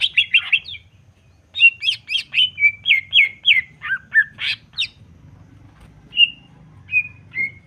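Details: Greater green leafbird in varied provoking song: a burst of chirps, a long rhythmic series of rapid whistled notes with sharp clicks, a pause, then three spaced, level whistles.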